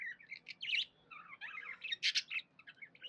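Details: Pet budgie chirping in a happy mood, mixing soft warbling chatter with a few louder, sharp tweets in a short burst.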